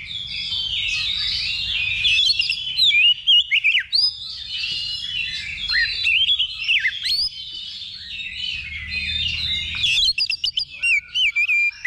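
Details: Simulated level 2 magpie-robin contest, a training session before the real match. Continuous high warbling of whistles, slurred notes and scratchy trills, with a few short loud notes near the end.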